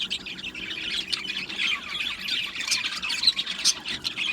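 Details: Continuous overlapping chirping and squeaky warbling from a colony of budgerigar parakeets kept in an aviary, with frequent quick squawks.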